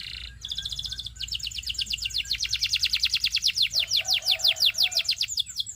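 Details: Belgian singing canary in loud, steady song: a short buzzy trill, then a long rolling series of rapid high sweeping notes at an even rhythm, a soft lower tone underneath midway.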